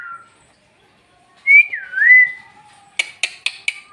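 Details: Bhojpuri talking parrot whistles a smooth dipping-and-rising tone, followed by four quick sharp clicks or taps in a regular row, in a quiet indoor setting.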